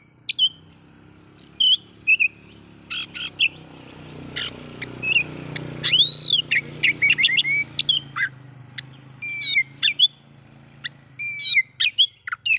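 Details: Oriental magpie-robin song used to provoke other magpie-robins: scattered clicks, buzzy notes and whistles with one loud arched whistle, set against a noisy low rumble.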